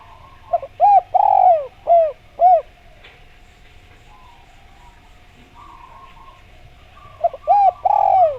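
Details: Lure song of a spotted dove for prompting other doves to call back: a burst of arched coos with one longer throaty note, several seconds of low hum, then the cooing phrase starts again.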